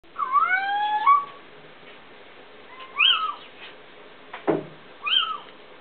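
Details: A Little Owl, recorded 24 July 2009, gives three plaintive, cat-like mewing calls, each rising then falling, a couple of seconds apart; a single sharp knock sounds between the last two.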